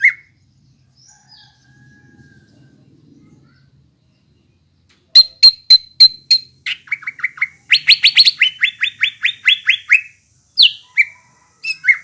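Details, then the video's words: Greater green leafbird song meant to stir young leafbirds to imitate and sing: after near silence, sharp clicking notes break into rapid trilled rattles and loud slurred whistles. "PANCINGAN CUCAK IJO BAHAN ATAU BAKALAN AGAR CEPAT GACOR"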